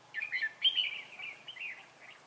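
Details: A trainee decoy red-whiskered bulbul singing at a trap, December 2016: one short, continuous, flowing warble that starts bright and trails off softer.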